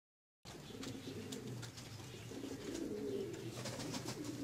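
A Pomeranian Pouter pigeon gives low, throaty rolling coos, murmuring steadily for a few seconds inside a small room.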